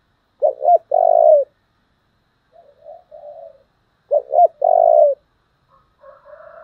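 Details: Spotted dove with a very strong 'giọng thổ' voice, meant as a model for decoy training. Two full phrases about four seconds apart. Each has a stammering double note and a long loud coo, with soft coos in between.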